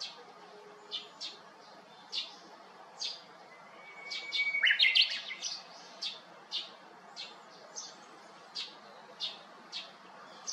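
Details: On 7 May 2021, a Japanese bush warbler sings from the top of a cypress by an empty house: a steady whistle that breaks into a loud, jumbled, rising phrase. Many short high chirps from other birds repeat throughout.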